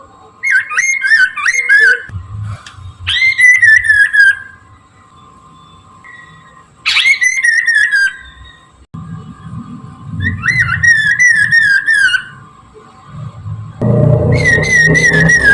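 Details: Chinese hwamei in morning song, used as a lure: four separate bursts of loud, rich whistled phrases. Each burst is a quick run of rising and falling notes, with pauses between them and a steady hum and rumble underneath.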